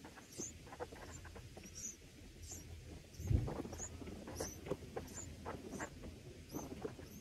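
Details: Red bulbul chicks in the nest, being fed by a parent on day 1, give thin, high squeaks about twice a second at a steady pace, over low rumbling background noise and a single dull thump.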